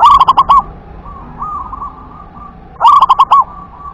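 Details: Zebra dove of local wild type sings two loud bursts of rapid, rounded coos in WER-KE-TE-PEK style, separated by a gap filled with softer, lower cooing.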